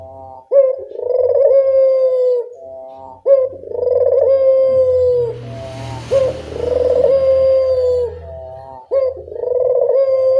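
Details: Barbary dove cooing at dusk as a lure for quiet doves: rolling, vibrating coos repeated about every two and a half seconds, with a low engine-like rumble and a hiss through the middle.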